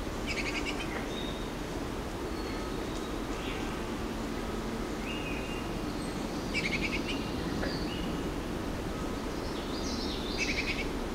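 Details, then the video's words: Young Baltimore Orioles, apparently two, in Massachusetts, possibly at the nest, give short, high chattering bursts, three main bouts several seconds apart with thin chirps between, over a steady low rumble. "Baltimore Oriole young"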